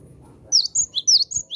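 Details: Javan sparrow used to call wild Javan sparrows, delivering a short burst of five or six quick, high, squeaky chips.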